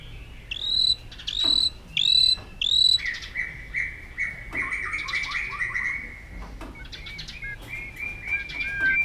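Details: Aggressive, tail-flicking White-rumped shama singing to stimulate other birds: four loud rising whistled phrases open the recording, followed by softer rapid warbling and trills over background noise.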